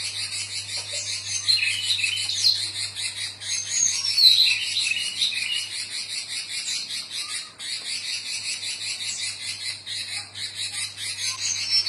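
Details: Female robins calling to the male, answering one another: a dense, continuous high-pitched scratchy chatter with rapid buzzy notes, broken by brief clear whistled notes, and a short pause midway.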